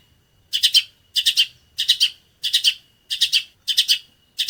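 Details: Long-tailed shrike singing sparrow-like training material for other shrikes: clusters of three sharp, buzzy chirps that come roughly every two-thirds of a second against a quiet background.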